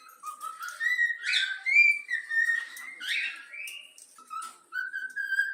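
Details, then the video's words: Pet yellow-cheek cockatiel whistling the Flamengo anthem, a taught tune: clear whistled phrases that step upward in pitch, with a few buzzy, harsher notes mixed in and short pauses between phrases. "Calopsitas | Bochecha amarela cantando o hino do flamengo"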